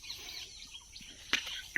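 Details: A flock of parakeets, come to eat the maize field and perched in tall trees by a home fruit garden, give two harsh, rasping 'kyach' screeches, the second shorter, half a second apart, over a steady outdoor hiss.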